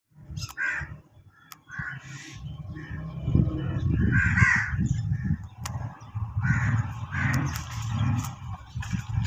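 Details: Birds chirping in hawelli: harsh, raspy cawing calls come in uneven bursts over a steady low rumble, with a few sharp clicks between them.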